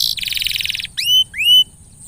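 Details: Canary lure song to make a silent canary sing more often: a fast, even buzzy trill lasting nearly a second, followed by two clear rising whistled notes with a flat, sustained ending.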